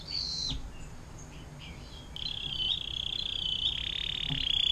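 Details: Canary in the long 'air mancuran' (water fountain) song style, used to tutor shamas, leafbirds and shrikes: faint scattered high notes, then from about two seconds a steady, very rapid high buzzing trill that grows louder.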